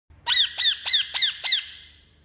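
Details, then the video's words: Free-flying parrot giving five harsh, high squawks in quick succession, each bending downward, spaced about a quarter second apart, followed by a fading echo-like tail. "Parrot free flying short video"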